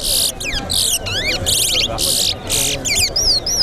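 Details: Seed finch (towa-towa) in a singing race at Betterhope bird ground, rushing through harsh buzzy bursts alternating with fast whistled zigzag phrases, ending in clear falling whistles; crowd chatter underneath.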